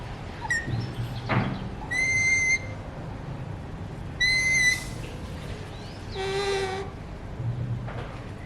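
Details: Pet Alexandrine parakeet, a colour mutation, alternates clear, steady, high whistles lasting about half a second with a harsh, buzzy screech, plus a few short clicks and a low thud in the background.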